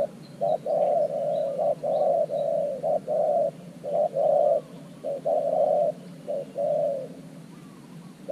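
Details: A spotted dove used as a decoy at an earthen trap cage calls to draw in wild doves. Dense low cooing, short and long notes in uneven runs, fills most of the recording.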